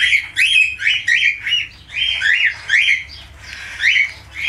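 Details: Falk budgerigar delivering rapid repeated chattering notes, bouncy squeaks and short rising whistles in quick succession, pausing briefly midway.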